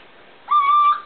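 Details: Little owl recorded on 24 July 2009 giving a single clear, whistled note that swoops up briefly and then holds steady for about half a second against quiet background hiss.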